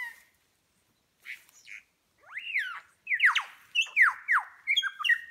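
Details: Displaying superb lyrebird, tail feathers raised, imitating other birds in New England National Park, NSW, Australia: sparse notes, then a burst of loud arching whistles, down-slurred calls and quick stacked chirps.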